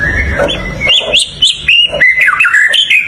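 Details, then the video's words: White-rumped shama singing a rich, varied run of clear whistled phrases, sliding up and down between notes with quick chirps between them; low background hum underneath. "เสียงนกกางเขนดง ร้องดีสุดๆ"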